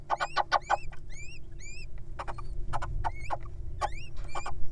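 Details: Wild little owls at feeding time, begging: thin rising squeaks in quick series with harmonics, mixed with sharp clicks and rustling, over a steady low hum.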